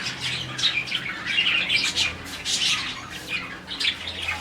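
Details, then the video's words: Morning chorus from a colony of about 40 budgerigars, chirping as a sign of happiness. Many birds chatter at once in quick, buzzy high chirps and warbles, rising and falling in waves, over a faint low hum. "Lovebirds, budgies, parakeets morning chirping sound"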